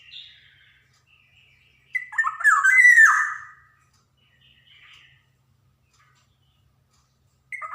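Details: Black-naped oriole of Java, with varied rhythmic phrasing, recorded as a master for young birds: faint whistled notes, then one loud, harsh, squawking phrase of about a second and a half, and quiet after it.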